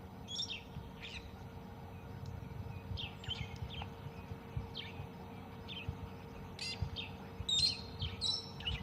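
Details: Brown-headed parrots squawk and squeak in short, shrill, irregular bursts, at times a few per second, at dawn on a misty morning in Tswalu Kalahari Reserve, South Africa, 2 June 2020, over a vehicle engine's low rumble.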